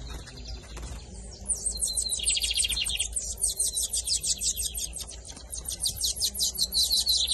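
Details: Caged-style double-collared seedeater song from the 2023 season, camelão versus torneiro type: a buzzy phrase followed by long rapid series of very high sharp repeated notes, about three per second, over steady low hum.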